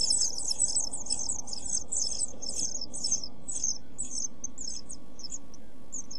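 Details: Pied flycatcher nestlings, 7 days old, in a nest box on 23 June 2012, beg with a fast run of thin, very high chirps, two or three a second, tapering off over a low muffled rumble.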